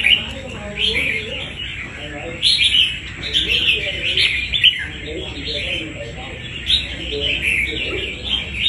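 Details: Wild-caught red-whiskered bulbul shown for fighting: short bright warbling bursts with sharp downslurred notes, repeated every one to two seconds, soft murmuring voices and a persistent high electrical tone underneath.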